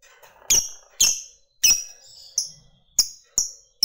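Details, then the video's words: Fighter lovebird ticking 'ngetik' notes meant to provoke other lovebirds: a string of sharp, shrill chirps about half a second apart, some followed by a brief whistled tail. "FIGHTER NGETIK LANJUT NGEKEK PANJANG"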